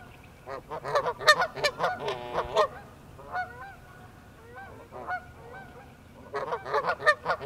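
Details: Canada goose pair walking on ice, alarmed by an intruder: a loud cluster of harsh honks, then softer drawn-out nasal calls, and a final renewed burst of rapid honking.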